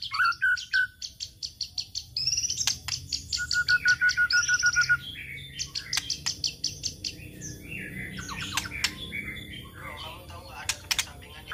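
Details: White-rumped shama (murai batu) singing as a lure for other birds: bursts of rapid high ticks, a short falling whistle, a sustained level whistle, then scattered chatter and sharp notes growing quieter toward the end.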